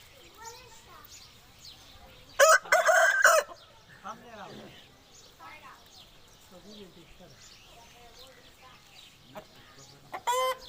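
An Aseel rooster gives one loud, harsh, broken crow lasting about a second, and a second crow begins at the very end. Softer calls from other fowl murmur throughout.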